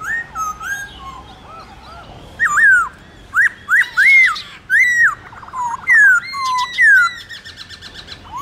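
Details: Black-throated laughingthrush trained to sing, giving morning contest song in forest-style voice: softer warbled whistles first, then loud, sharply looping whistled notes about twice a second, with high chips between them.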